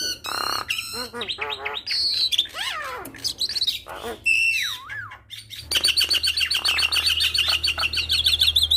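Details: Javan myna training song for other mynas, packed with varied phrases: rapid chirps, looping whistles that dip and rise, a wavering slurred note, then an extended bout of fast, high, repeated chattering over a low hum.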